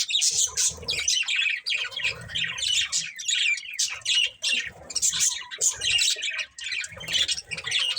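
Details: A breeding budgie pair squawking and chirping in a choppy series of rasping, buzzy bursts, one every half second or so, with soft low knocks underneath.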